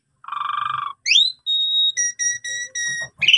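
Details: Asian pied starling, called jalak suren, on a training recording meant to provoke other starlings into singing: a low buzzy trill, then a rising whistle and a run of steady pure whistled notes ending in a rising squeal.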